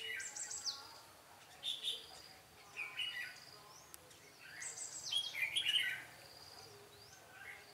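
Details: Decoy red-whiskered bulbul in a trapping session on 13 March 2017, duelling in song; brisk chirped and warbled phrases in two main bursts, with quieter gaps and faint insect noise.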